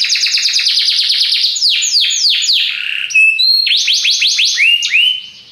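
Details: Belgian canary's powerful song: a fast run of rapid repeated notes, sweeping descending slurs, brief high thin whistles, then more rising and falling chirped phrases.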